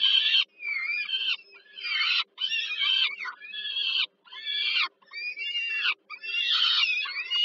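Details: Peregrine falcon nestlings calling as their mother feeds them at dinner, Warsaw, Poland, 15 July 2022; repeated harsh, wavering screeches roughly once a second, some with rising and falling whining notes, a low hum in the background.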